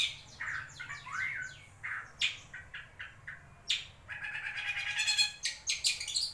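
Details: Wewah bird sounds meant to stimulate a lazy shrike to sing: varied chirps and short rising notes, scattered harsh squawks, then a buzzy trilled passage and rapid chattering toward the end.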